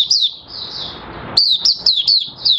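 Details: An Oriental white-eye, or Mata Puteh Raja, kept in captivity and beginning to sing on 30 August 2022 as its new white feathers finish colouring. A soft high warble is followed by five crisp, evenly spaced chirps.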